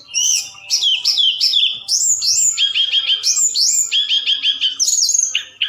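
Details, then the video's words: Forktail singing at night, a lure recording meant to provoke other birds into answering: high whistled notes slurring downward, then rapid repeated chirps and buzzy trills, all shrill and lively. "Tledekan Gunung Gacor Malam || Suara Pancingan"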